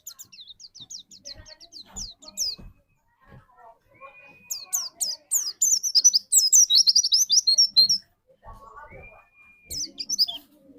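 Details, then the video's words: White-eye song played as a lure to draw song from another white-eye: bursts of rapid, high, thin chirps in runs, separated by pauses, with a long flat whistle and faint lower chatter in between. "burung pleci pancingan"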